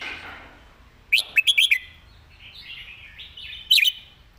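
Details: Caged red-whiskered bulbul singing its master song with good phrasing and clear notes: a quick burst of four or five bright, slurred whistles, then a softer warble and a second short whistled flourish near the end.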